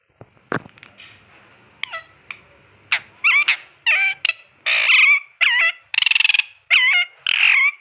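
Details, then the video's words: Ringneck parrot kept as a pet, talking and playing: a run of varied harmonic notes, many with sharp downward hooks, getting louder and denser toward the end, with a few soft clicks at the start. "Ringneck parrot talking and having fun"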